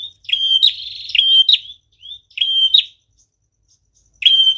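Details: Lively prinia singing as a lure for catching birds: a buzzy rattling trill followed by piercing flat whistles that snap upward at the end, delivered in two bursts with a silent pause between them.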